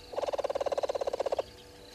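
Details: Red-billed hornbill at Gowrie dam waterhole, Djuma Game Reserve, Sabi Sand Wildtuin, South Africa, recorded 05:53 on 04/03/2022 by a live waterhole camera. About twenty loud, hollow, rapid clucks pour out in a steady run lasting just over a second.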